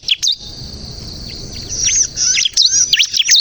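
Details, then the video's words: Bar-winged prinia used as a lure to get other birds singing: a pair of sharp chirps, a quiet pause, then a quick series of high, V-shaped whistled notes. "suara burung ciblek kristal gacor untuk pikat dan pancingan ciblek bahan agar bunyi"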